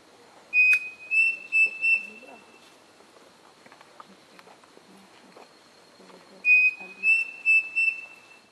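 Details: Pavonine cuckoo (Dromococcyx pavoninus) at Edmundo Navarro de Andrade State Forest, Rio Claro, São Paulo, 23 August 2018, sings a short phrase of four clear, level whistled notes, repeated about six seconds later over a quiet forest background.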